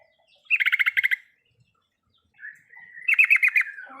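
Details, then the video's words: Yellow-vented bulbul (trucukan) riwikan song, used as a lure to make a silent bird sing: two bursts of rapid, evenly pulsed chattering notes in a tight high band, separated by a pause. "pancingan untuk burung trucukan yang tidak mau bunyi..full riwikan"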